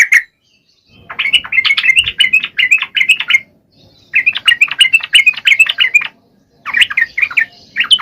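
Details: Used to provoke reluctant bulbuls into song, this energetic sooty-headed bulbul pours out fast sequences of bright, bouncing chirps, nearly three a second. The runs come in three spells with short silences between.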